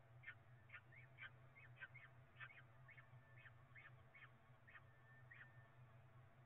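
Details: Peregrine falcon nestlings at Cromer, 27 April 2024, being fed a pigeon for breakfast; rapid, irregular harsh chips and squeals, some overlapping, against a constant low hum.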